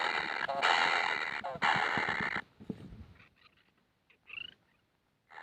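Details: Kingfisher babies begging for food: two loud raspy bursts open the passage, followed by fainter, scattered short buzzy notes.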